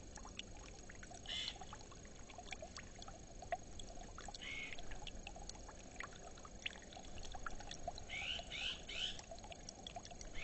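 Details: Iberian magpies from family groups visiting a small pond in Collado Villalba, Madrid, with up to eleven present at once, give short, harsh, rising calls in scattered bursts, louder near the end, over steady splashing water.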